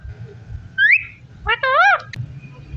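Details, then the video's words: Parrot produces a quick upward whistled slide followed by a wavering, harmonic, speech-like phrase and a sharp click, over a low background hum. "So sweet parrot talking"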